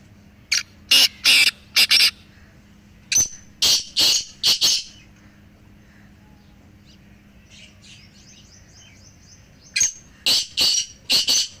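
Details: Black francolins, three birds, calling to encourage a pet francolin to call: three loud phrases of rapid, grating, buzzy notes separated by pauses, with a faint softer call in the quiet middle stretch.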